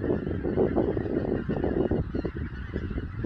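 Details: Geese wintering in Dobrogea, southeastern Romania, February 2022, filmed on a phone: a short burst of busy, overlapping honking from a big flock, loud and unbroken.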